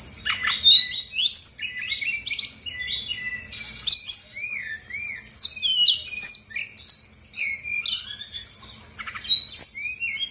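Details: Rich, unbroken song of a female brown-chested jungle flycatcher from Bali, played to prompt quiet birds to sing: dense tumbling whistles, loops and slurs packed together for ten seconds with only brief gaps.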